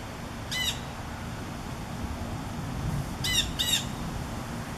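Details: Blue jay in trees before a severe summer thunderstorm, August 2015, calling as if warning other birds; one harsh, sharp note, then a pause and two more in quick succession, against a constant low roar of wind and storm.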